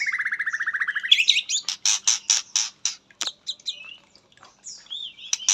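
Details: Katem-filled song of an Indonesian white-rumped shama: a rapid trill at the start, then loud harsh broadband bursts with pauses, ending in scattered sweeping whistles.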